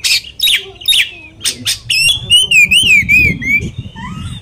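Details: Oriental magpie-robin song used to provoke another magpie-robin: three harsh, buzzy notes followed by a clear, wavering whistled trill, ending in soft rising whistles over low background rumble.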